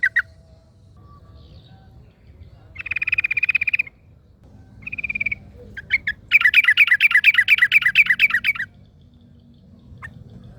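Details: Yellow-vented bulbul singing in the wild while another bulbul answers: short bursts of rapid, clear chirps, then a longer, louder rattling chatter of quickly repeated notes, with quiet gaps between phrases.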